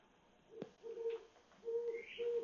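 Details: Owl perched on an electric pole at 1:00 am on 27 July 2021 in Mount Washington, Cypress Park and Glassell Park; low, steady hoots, each under half a second, repeated about three times, with a faint higher rising note near the end.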